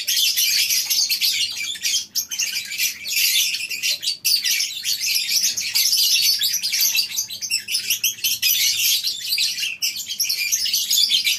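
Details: Lovebirds in a colony aviary on a breeding farm in the morning: a dense, unbroken wall of shrill, high chirps and squeaks from many birds, with only a few brief dips around the second and fourth seconds.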